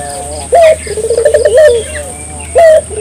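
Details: Barbary dove cooing to stir local doves into song: one low trilled coo easing into a level tone, framed by two short, loud, clipped notes, over faint hiss.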